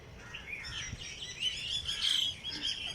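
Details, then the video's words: Birds singing early in the morning at Jilani Park, Lahore: high chirps that grow louder toward the middle, where a few clear whistled notes ring out over the twittering. "Birds sings in Jilani park Lahore early morning"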